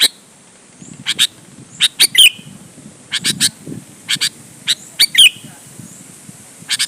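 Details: Sooty-headed bulbul singing hard to push other bulbuls to answer. Scattered doubled chips alternate with a few quick twisting whistled notes, over steady low background noise.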